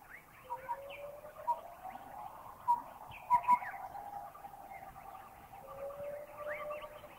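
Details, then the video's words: Collared owlet from Thailand giving short, piping hoots on one mid pitch, single and paired notes a second or so apart, over a busy chorus of other birds with long gliding whistles. "Number 9, the piping hoot of the collared owlet."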